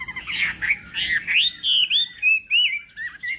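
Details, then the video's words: Chinese hwamei practising contest song in the morning: a few rough warbled notes, then clear, drawn-out whistles, each sliding up or down, with short breaks between them. "Hoạ Mi Hót Đấu /hoạ mi hót sáng luyện giọng kich bổi sổ giọng chim hót hay mỗi ngày/"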